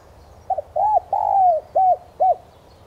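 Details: Spotted dove lure call for training newly caught doves to coo: a soft double note leads into a phrase with an arched coo, a long drawn falling coo and two short arched notes.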